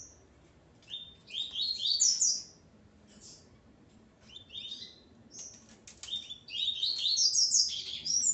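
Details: Coleiro song from a male kept with his female: lively bursts of quick, upward-sweeping buzzy notes repeated in several phrases, the final phrase long and dense, over a constant low hiss.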